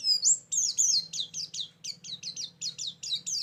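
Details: White-eye song used to lure birds for trapping: a shrill rising whistle, then regular high falling chirps about four per second over a faint low hum.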